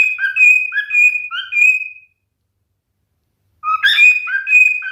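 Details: Male cockatiel singing: clear whistled notes, some rising and some held, repeated in quick phrases for two seconds. A silent pause follows, then a brief burst and more bright whistles.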